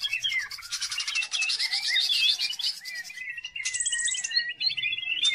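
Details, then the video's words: Greater green leafbird song used as a lure to train other birds, likely a kept bird: rapid varied chirps and twittering notes, mixed with sliding whistles and a buzzy high burst near the end, loud and continuous. "CUCAK IJO GACOR || COCOK BUAT PANCINGAN"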